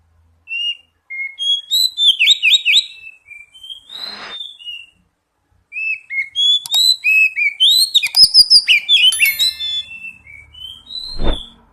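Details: Oriental magpie-robin singing as a lure to prompt singing: two bursts of varied whistled phrases, sliding notes and rapid warbled trills, separated by a short pause, with clicks and a knock near the end.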